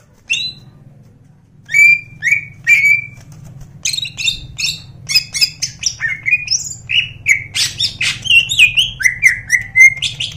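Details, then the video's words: A greater green leafbird, described as a national champion, sings a few spaced, clear, high whistles, then a fast, varied run of chirps, trills and slurred notes over a faint low hum. "cucak ijo juara nasional/cucak ijogacor full isian"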